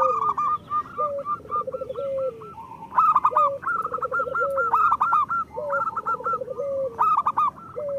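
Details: Local zebra dove, meant as a lure to get lazy or moulting birds singing, gives soft rolling trilled coos. Each phrase ends in a sustained note and repeats every second or two. Louder, higher repeated calls of other birds dominate.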